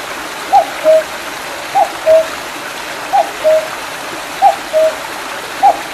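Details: Cuckoo calling on a wooded mountain behind Mandeok-dong beside a small stream after rain, July 2019: clear two-note cu-coo, the first note higher and the second lower, repeated about every 1.2 seconds over a steady rushing of water.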